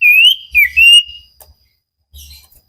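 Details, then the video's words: Common iora (cipow) in a training recording for cage birds, singing vigorously: a couple of curving, wavering whistles, the second dipping and rising again, then soft rustles and faint clicks. "Burung cipow sirtu masteran Gacorrr banget"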